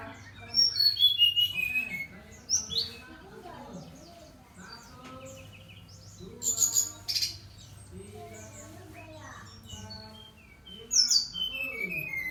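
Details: Brown-chested jungle flycatcher singing vigorously: bursts of clear whistled notes stepping down in pitch, near the start and again near the end, with people talking quietly between the phrases.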